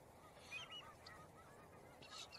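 A Boat-tailed Grackle gives a few short, nasal, honking notes with thin whistled squeaks mixed in, faint against a steady background hiss.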